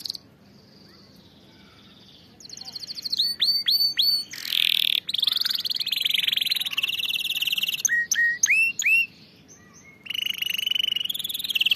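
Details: Canary singing, played to train canaries to sing correctly, opening quietly and then breaking into rapid ringing trills, curved whistled notes and buzzy rolls, with short pauses between phrases.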